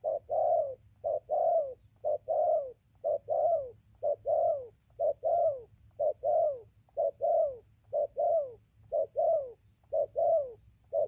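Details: Steady cooing by a spotted dove, dated 15 November 2020: mellow low double notes, the second drawn out and sliding down, repeated roughly every second over eleven seconds, with a faint background hum.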